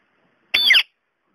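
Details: Indian ringneck parakeet, a pet talking parrot known locally as sindhi parrot, giving one brief harsh squawk of about a third of a second with bright, high overtones, in an otherwise quiet room.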